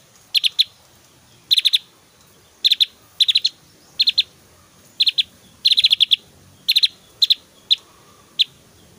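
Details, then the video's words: A Javan grey-throated white-eye, in varied, very loud whistling and "shot" song suited as a tutor recording for other white-eyes, gives short bursts of high, sharp chirping notes in clusters of two to five, repeated every second or so against a quiet background. "SUARA SIULAN JUGA TEMBAKAN 💯 DAHSYAT BURUNG OPIOR JAWA GACOR"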